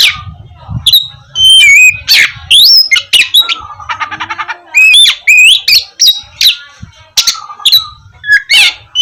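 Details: Oriental magpie-robin in full varied song, played to get lazy birds singing in the morning: looping whistled notes, a rapid trilled rattle, scratchy chatter and sharp chirps, with faint low background rumble.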